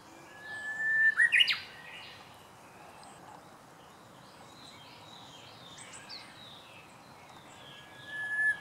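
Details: Japanese bush warbler singing its first song of the season, recorded 19 March 2016: a steady held whistle that breaks into a quick, sharp, rising-and-falling flourish, then a quiet stretch with faint distant chirps, a new held whistle starting at the end.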